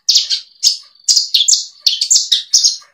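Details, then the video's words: Bushlark song used to train kept birds: loud clustered chirps and short slurred notes in quick groups, high-pitched, with almost no background noise. "Kumpulan masteran burung branjangan terbaru tahun 2022, dijamin branjangan anda akan gacor"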